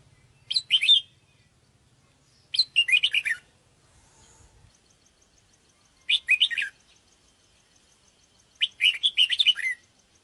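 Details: Sooty-headed bulbul calling for bird luring: short clusters of rapid, liquid chirps separated by roughly two-second pauses, four groups in all, with a faint low rumble early on.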